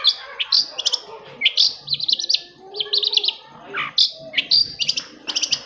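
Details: Long-tailed shrike singing to prompt other shrikes to sing: a rapid, varied run of sharp chirps, trills and slurred notes with brief clicking bursts and almost no pauses.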